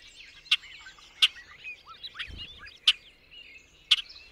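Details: Bobolink song of soft bubbling, twangy notes punctuated by four loud sharp clicks, with a short low thud near the middle.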